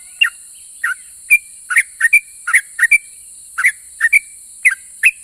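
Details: Vocal yellow-vented bulbul singing to provoke replies from other bulbuls: paired whistled chirps, a falling note followed by a higher level one, repeated in bursts over five seconds, with a continuous high hiss behind.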